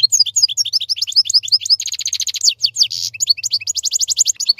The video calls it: Красивое пение щегла. Singing goldfinch. آواز خواندن فنچ